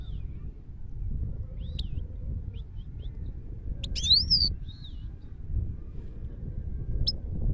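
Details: Himalayan goldfinch singing in Parachinar: scattered high, thin twittering notes and short slurred whistles, with a brief busier burst near the middle, over a steady low rumbling background noise.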